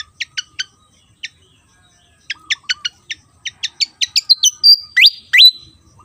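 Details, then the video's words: Javan fantail (sikatan jawa), an insect-eating bird of Java, in lively full song: sharp vertical chip notes in quick series, speeding up into rising whistled slurs and a long steady high whistle near the end. "burung SIKATAN JAWA//SIKATAN KIPAS gacor"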